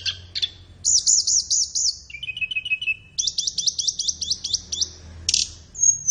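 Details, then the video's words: For training captive birds in morning or afternoon, a flowerpecker sings fast evenly repeated high looping notes, about five then ten in a row, with a lower rapid trill between and a final thin whistle. "SUARA BURUNG - Masteran Terbaik Tledekan"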